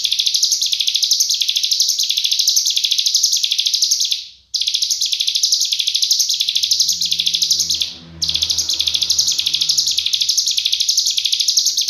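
A cigun sings a dense, very high, rapid trilled song in long unbroken bursts with two brief pauses. A low hum comes in toward the end.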